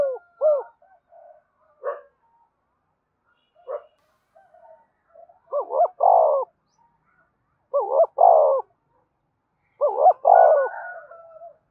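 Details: Spotted dove song meant to spur captive birds into calling along all day: three clear phrases, each a couple of short rising notes then a long, drawn, falling coo, roughly every two seconds late in the clip, with faint scattered notes earlier.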